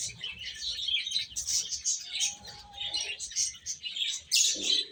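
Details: Little chicks feeding and peeping nonstop, many thin high chirps overlapping into a busy chatter, with a faint steady mid-pitched tone in the middle and a brief lower sound near the end.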